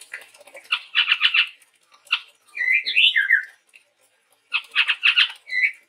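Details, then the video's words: Sumatran forest songbird, a male chestnut-rumped babbler, gives rapid stuttering note clusters, then looping slurred whistles, and again the quick clustered notes. "suara burung tepus tunggir merah gacor"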